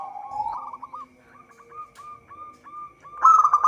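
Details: Local zebra dove singing, used as a lure for trapping: a soft string of short cooing notes repeated about every third of a second at steady pitch, over a constant electronic hum, ending in a louder burst.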